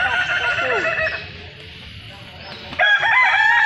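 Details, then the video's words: Balenggek roosters crowing at a crowing festival in Kota Solok: a long, tiered crow fades out, a quieter gap follows, then another loud multi-note crow with sharp upper harmonics begins near the end. "ayam kukuak balenggek"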